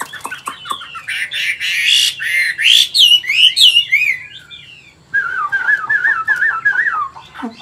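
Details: Chinese hwamei singing in forest-voice style, an old wild-caught caged bird of large build in Vietnam. Loud, rasping, fast-tumbling phrases break into bright whistles, then a lower wavering whistled series follows a brief pause.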